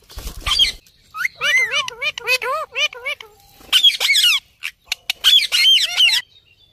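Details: Parrot, or tota, talking: a rapid string of rising-and-falling warbled syllables, like mimicked chatter, followed by rough screeches and chattering squawks, all loud and close.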